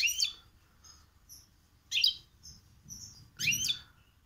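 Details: Goldfinch × canary hybrid (mixto) in cold weather, raised hearing goldfinch song and possibly holding some canary notes, sings three short bursts of bright twittering with sharp downward sweeps, separated by pauses with faint high tonal notes between.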